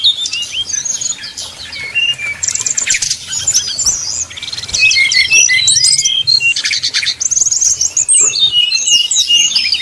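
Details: Brown-chested jungle flycatcher in 'nyuling' flute-like song meant to heat up opponents; jumbled high twitters and trills, quieter in the opening seconds, then louder dense whistled phrases through the rest.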